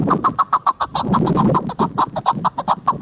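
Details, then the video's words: Female chukar partridge uttering a brisk series of short, clipped cluck notes, about two or three each second, fairly loud and clear. Soft low-pitched noise sits in the background. "KEKLİK sesi shikari chakor sound chakor ki awaz zirk madi awaz national bird partridge"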